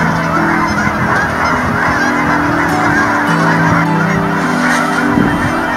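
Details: Migrating flock of Canada geese in Colorado during winter, many birds honking at once in a loud unbroken wash of deep, overlapping nasal calls under a constant hiss.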